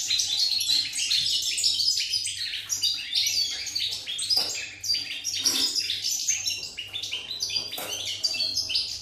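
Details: Pied European goldfinch singing on 8 November 2019, a busy stream of high twitters, short buzzes and clear tinkling notes, nearly unbroken, with a brief lull midway before the chatter resumes; low electrical-sounding hum faintly present.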